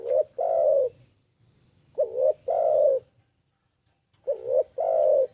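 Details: Soft, throaty coos of a spotted dove, three phrases each made of a quick rising-falling double note and a sustained low note, in a quiet setting.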